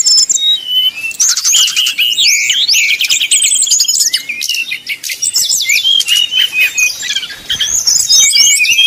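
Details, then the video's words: Brown-chested jungle flycatcher in 'nyuling' fluting song, played so rival birds grow heated and sing. Continuous high chattering and swooping whistles overlap throughout, with a few lower slurred notes. "srdc nyuling bikin lawan jadi panas penuh emosi"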